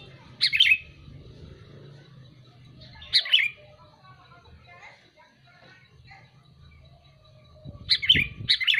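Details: Sooty-headed bulbul calling, giving short bright chirping bursts at about 0.5, 3 and 8 seconds, the last a quick double note, over a low steady rumble and a faint low thump near the end.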